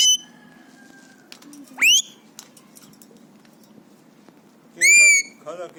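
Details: Three-year-old pet Alexandrine parakeet, happy and excited, mimicking sounds. Shrill rising screech near the start, then a loud harmonic scream just before five seconds and a short lower call after it, over quiet room hiss.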